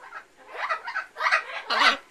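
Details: Pet green-winged macaw (Ara chloropterus) gives four or five hoarse, raspy, rising bursts of mimicked speech imitating a spoken greeting, 'answering the phone' when prompted to say hello.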